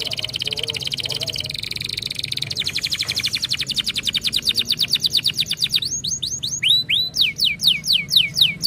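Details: Canary song meant to stimulate other canaries to sing: high, fast rattling trills of rapidly repeated notes that slow into a series of clear, sweeping downward-slurred whistles, over a low background hum.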